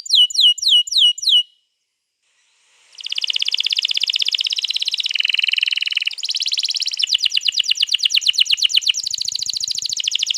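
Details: Canary rolling song meant to draw another canary into singing, recorded 21 April 2022: five sweeping notes, a pause, then long continuous buzzy trills shifting pitch several times.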